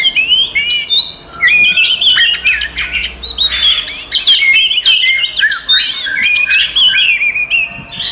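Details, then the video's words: Oriental magpie-robin delivering a fighting song used as a lure to agitate rivals: busy, overlapping whistled phrases, clicks and harsh chatter running almost without a break. "SUARA BURUNG kacer gacor TARUNG konslet paling AMPUH buat PANCINGAN KACER EMOSI"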